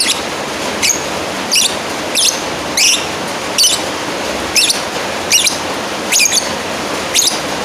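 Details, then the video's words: A lovebird calls toward a rival in a quick string of shrill, wavering squeaks, about one each second or slightly faster, over constant background hiss. "Suara Asli burung lovebird Manggil lawan"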